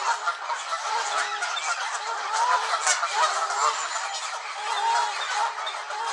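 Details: A gaggle of Canada geese at Elvaston Castle, 3-10-15, honks angrily in a steady, noisy clamour. Many overlapping calls blur together, and a few clearer rising honks stand out.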